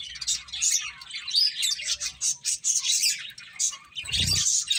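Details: Finches chirping while eating: dense, overlapping high twittering from several birds, busy and continuous, with a brief low thump near the end.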